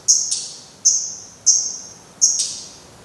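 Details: Black redstart calling at its nest on 24 May 2020 as the final chick leaves: four high, piercing whistled notes, each with a sharp onset and a long fading tail, spaced about half a second apart.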